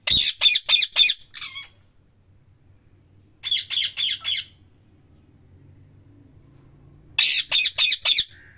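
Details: Parrot calling loudly in three bursts of four rapid, harsh squawks, with quiet pauses of a few seconds between bursts and a low background hum.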